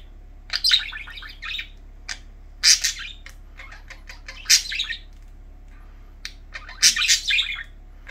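Budgerigars chatter in quick bursts of high, scratchy chirps and warbles with short pauses between.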